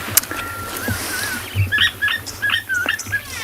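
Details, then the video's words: Green pigeon in a fruiting tree visited by frugivorous birds at sunrise, 14 August, Tswalu Kalahari Reserve, South Africa: a long wavering whistle, then a run of short, liquid whistled notes, with other birds chattering faintly. "there you can hear the green pigeon"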